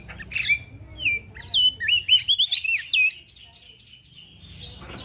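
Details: Male prinia in full song, serving as a training recording for other birds: a lively chain of about ten quick, rising-and-falling whistled notes delivered in rapid succession, fading out toward the end over a soft low rumble.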